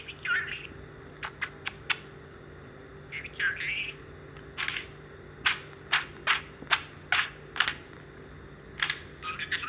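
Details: A pet budgerigar named Charlie talks in quick, scratchy warbles broken by sharp clicking sounds.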